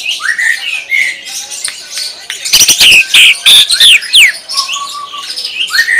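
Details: Greater green leafbird song with loud varied whistles, sharp rising and falling notes and rapid chattering phrases, bursts of strong calls in the middle, plus a sustained faint tone.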